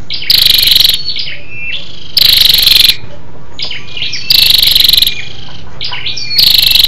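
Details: A female scarlet-backed flowerpecker calls to rouse males: four harsh rattling bursts arrive at steady intervals of about two seconds, with soft high whistled notes between them.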